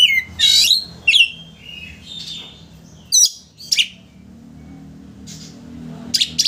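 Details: Kacer (Oriental magpie-robin) rival-provoking song: loud buzzy chirps and rising whistled notes in uneven clusters, separated by gaps filled with low background hum.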